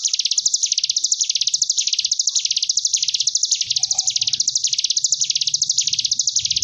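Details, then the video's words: Tutor recording of a Sunda bush warbler, ciblek gunung, for training caged young birds; ngebren gelombang tawon style, a sustained shrill buzzing trill pulsing up and down in waves, with a brief faint tone and low murmur midway. "Cigun Ngebren Gelombang Tawon Jeda || Masteran Ciblek Gunung 30 Menit"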